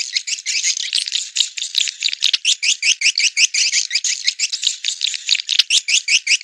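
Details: Rainy-season breeding lure call of edible-nest swiftlets: a fast, regular series of buzzy, twisting chirps, about two or three each second, forming a continuous rattling chatter.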